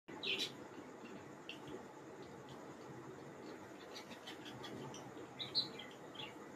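An African grey parrot gives two brief, high chirps, one at the start and one near the end, over a steady indoor hiss with faint clicks between.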